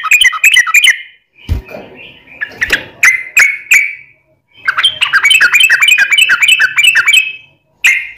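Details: Lure recording of a yellow-vented bulbul singing a long rapid trill to draw replies from other bulbuls: short chattering bursts, a softer scratchy passage, then a sustained run of fast bubbly notes.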